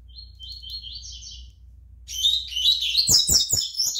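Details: Double-collared seedeater juvenile aged five months sings loudly: a soft high warble first, then a rich, rapid run of chirps and trills, with a few low thuds near the end.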